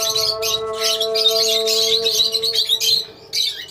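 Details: A colony of lovebirds chattering nonstop, high piercing chirps crowding together in quick bursts with brief gaps, over a constant humming drone.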